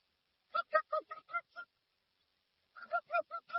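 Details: Dusky-legged guan delivering two rapid sets of six gruff, nasal honks, with roughly a second of quiet between sets. The sound is clean and unedited.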